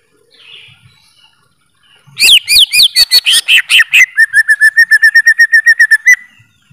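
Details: Greater green leafbird bursting into song after a faint lead-in: a quick run of varied, high slurred whistles, then a long, rapid trill of even repeated notes lasting about two seconds.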